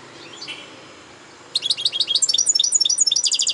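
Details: Over faint hiss, a European goldfinch breaks into a lively song of tumbling twitters that ends in a dense, buzzing trill.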